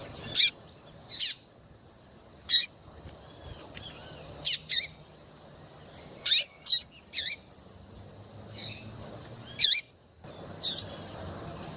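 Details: Female double-collared seedeater, a chirping female used to stir males into singing: about a dozen short, sharp, high chirps over twelve seconds, irregularly spaced, some in quick pairs, over quiet low background hum.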